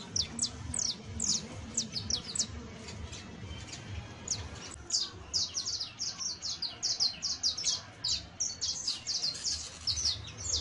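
Saffron finch song: bursts of high, sharp chirps and short notes in quick clusters, with a faint low hum underneath.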